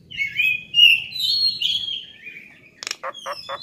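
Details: Nias hill myna singing vigorously for a songbird training recording: a long stream of high, wavering, slurred whistles, followed by a sharp click and three or four quick raspy notes.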